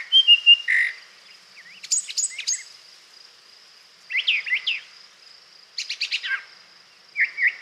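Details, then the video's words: A Brown Thrasher sings for 40 seconds without repeating itself: a rich run of varied phrases, quick clusters of sharp high notes and slurred chirps, over a thin steady high-pitched hum. "that was a brown thrasher singing for 40 seconds and it did not repeat itself once during that time"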